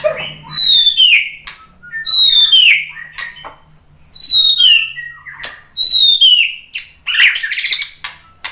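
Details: Song of a white-rumped shama played to get other shamas singing: clear high whistles sliding downward, repeated about every one and a half seconds, ending in a harsher scratchy phrase.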